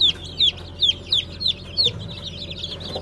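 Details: Brahma chicks just hatched in April 2020, Light, Gold and Blue varieties: six sharp, clear downslurred peeps about every third of a second, then softer peeping from others.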